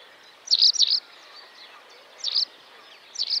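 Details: Great crested grebe with chicks at Tovačov ponds, Czech Republic, 2013–2014: shrill, high doubled peeps, followed by single and paired repeats at intervals of about a second, over a quiet background.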